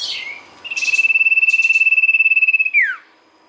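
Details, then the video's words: Lure song of a sirtu. A loud, even trill of rapid beats holds one high pitch for about two seconds, then sweeps steeply down. A short high note comes before it, with faint chirps mixed in. "pancingan sirtu gacor"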